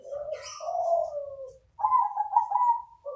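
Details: Crossbred zebra dove cooing: a low, mellow coo phrase drawn out over about a second and a half, a short pause, then a brighter, higher run of rolled coo notes.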